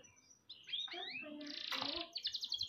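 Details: Canary song for training other birds: a run of slurred rising and falling whistles, a loud harsh buzzy burst, then a quick high rattling trill.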